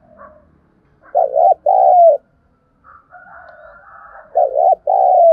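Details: Spotted dove giving a lure call used to stimulate wild birds: paired low, hollow coos, each phrase two-part with a rising then falling tone, delivered twice, with a fainter higher warbling sound between phrases.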